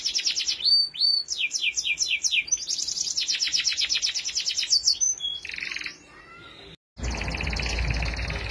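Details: Canary singing for tutoring young canaries: a long series of rapid pulsed trills about three per second, a short whistled phrase, a break, then loud broadband rumbling noise under faint continuing trills.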